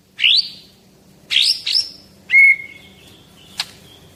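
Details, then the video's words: White-rumped shama from Medan, a caged 11-month-old male, giving a few separate rising whistles and a steady level whistle with a single sharp click, with long gaps between them. "Merdunya Suara Murai Batu Medan Super"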